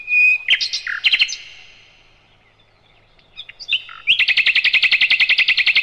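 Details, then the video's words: Nightingale master recording for cage-bird training: a loud whistle and quick slurred chirps, a near-silent pause with a few soft notes, then a long, fast, pulsing trill of many repeated notes. "Materan Burung Sikatan Londo"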